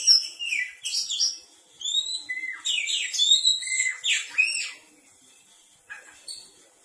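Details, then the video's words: Oriental magpie-robin (kacer) song used to make other magpie-robins answer: a lively stream of clear, sliding whistles and quick warbled notes for about five seconds, then fading to a few soft notes. "Kicau pangilan KACER... dengarkan di jamin kacer anda pasti nyaut.."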